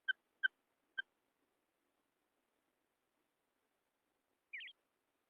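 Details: Female quail: three quick, clear, mid-high notes close together, then silence, then one brief zigzagging, warbled high note; the background is quiet.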